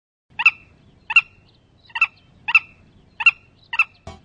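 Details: Willet, a medium-sized shorebird, giving six loud, sharp two-part calls with a ringing harmonic tone, repeated about every two-thirds of a second, ending with a brief click.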